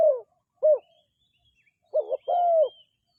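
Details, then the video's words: A dove coos softly: a falling note, a short round coo, then after a gap a wavering note and a longer falling coo, all low and mellow against silence. "សម្លេងលលកទ្រោលបរ សម្លេងដេញណាស់😍The sound of a dove is very quiet, the sound is very chasing"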